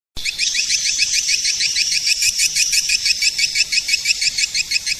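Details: Edible-nest swiftlet calling sound used to attract swiftlets: a dense, steady stream of rapid high twittering chirps, about three per second, continuous throughout, with no low sounds beneath.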